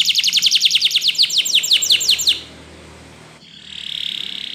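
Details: Spanish Timbrado canary singing a training song: a quick run of high, falling chirps repeated several times a second for two seconds, then near silence, then a soft buzzy trill.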